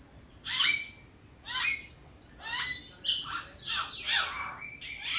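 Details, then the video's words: Common hill myna calls from treetops in April. A run of raspy squawks, each sliding down in pitch, repeats roughly once a second. A steady high insect drone runs throughout. "සැළලිහිණි යෝ අනේ ලස්සන ගීතයක් වාගේ ඒ නාද රටා..."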